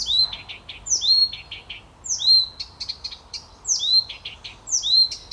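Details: Blyth's reed warbler, a bird of gardens and forest edges whose males mimic other species' calls and song phrases, sings high, falling whistled notes and short dry clicks, each phrase repeated about once a second.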